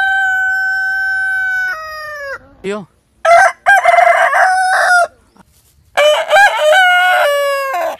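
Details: Crowing roosters of heritage chicken breeds. One long, pure, steady crow note is held almost two seconds and falls at the end. A brief squawk follows, then two rough, stuttering crows with choppy beginnings and sustained finishes.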